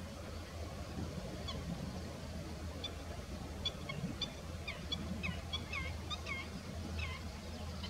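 Slender-billed gulls give short, nasal, slightly rising calls in quick irregular bursts, over a steady low rumble like an engine or wind.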